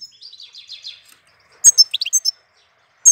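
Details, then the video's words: Goldfinch song in April: a soft run of rapid high twitters, a short pause, then a louder burst of liquid, tinkling notes dipping and rising, ending with one sharp chirp. "Cântec sticlele luna aprilie"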